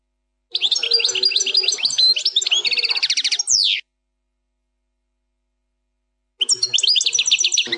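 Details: Goldfinch singing the 'plak mine' song without mistakes; a three-second run of rapid chirps leading into a fast rattling trill and a long descending slur, followed by silence and a new twittering phrase.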